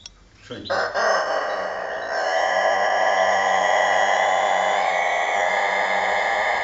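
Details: A champion long-crowing rooster from Vushtrri, Kosovo, in a long-crowing contest: a sudden sharp onset, then one sustained, steady, harmonic-rich crow held for about five seconds without break, with faint voices in the background.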